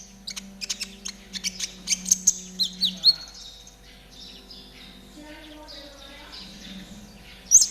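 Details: Lively konin trotol song used as training material for caged birds: a steady run of quick, evenly spaced high ticks building to louder chirps, then a softer warbling stretch and one sharp final note, with a low hum in the background.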